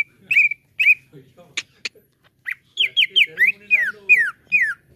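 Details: Greater green leafbird (cucak ijo) lure song meant to make a caged bird sing: two ringing whistles, sharp clicks, then a rapid chain of falling whistled notes, faint low tones beneath.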